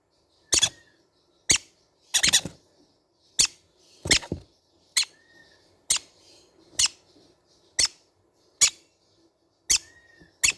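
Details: Young green-cheeked conures in a small room give short, sharp, rasping chirps, about eleven spaced roughly a second apart over ten seconds. A faint low hum runs underneath.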